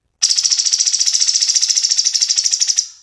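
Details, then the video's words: Cucak cungkok singing in full voice for training other songbirds, giving a continuous high buzzy trill of quick, evenly spaced pulses for nearly three seconds, with no other sounds. "SUARA BURUNG CUNGKOK GACOR"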